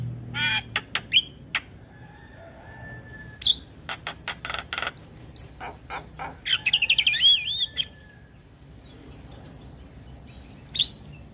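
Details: Javan myna in full song, used to make other mynas respond: scattered sharp chirps and clicks, a thin steady tone, a cluster of rapid harsh notes and a tangled whistled flourish, then a lone late chirp.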